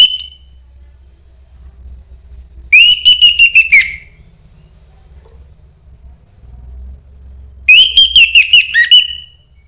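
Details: Orange-headed thrush, a young bird from the forest, sings to stimulate other thrushes; two phrases of rapid whistled notes over a steady low hum of background noise.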